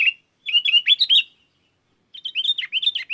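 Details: Lively sooty-headed bulbul song used to call wild bulbuls, which answer. A quick run of warbled, up-and-down chirps, a silent gap of about a second, then another tumbling phrase of liquid notes.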